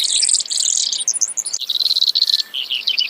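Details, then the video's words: Brewer's sparrow with a very high twittering trill that switches abruptly to a lower, evenly pulsed buzzy trill, then scattered high chips. "Brewers Sparrow Sound, Bird Call"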